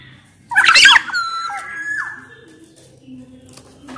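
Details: Black-naped oriole, a Sumbawa bird, singing to prompt quiet orioles: a sudden harsh, rattling burst followed by a long level whistle that slowly fades, with faint background hum.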